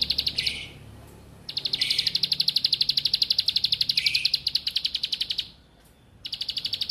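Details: Bar-winged prinia repeating rapid high ticking notes in long even trains, with brief buzzy dips lower in pitch and short silent gaps, played to turn lazy singers into active ones.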